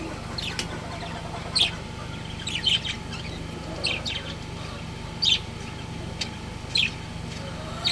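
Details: Breeding pair of pet budgies chirping: short, sharp, bright chirps recur irregularly, about one every second or so, over a steady low hum.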